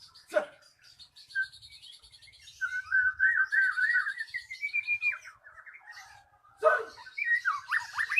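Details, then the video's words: Magpie-robin song used as a lure to coax a silent bird back into song: a long wavering whistled run slowly climbing in pitch, preceded and followed by sharp clicks and tumbling twittered phrases. "Pancingan Burung Murai Macet Jadi Gacor"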